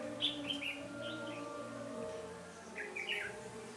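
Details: Red-whiskered bulbul at a bird trap, 13 January 2017, giving brief liquid chirping phrases, one burst near the start and another near the end, against a constant low mechanical-sounding hum.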